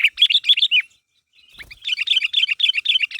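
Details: Sooty-headed bulbul calling out to draw a reply from others; choppy, bubbly chirps, a half-second break with a soft thump, then a lively, fast-repeating series of notes.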